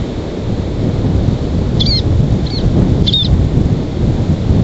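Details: American oystercatcher (Haematopus palliatus), banded, incubating its egg on the nest with willets nearby, gives three brief, high, sharp whistled notes about a second apart, nearly buried under steady wind roar.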